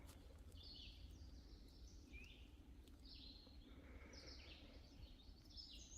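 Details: A hermit thrush sings faint, flute-like phrases, each at a different pitch, about every second or two, in old-growth oak woodland on a farm property in spring; low rumbling background noise throughout.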